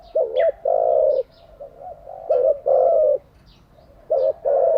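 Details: Spotted dove used to train wild-caught and decoy doves, giving loud repeated coo phrases: a quick double note then a long sustained coo, three phrases about every two seconds, softer coos between.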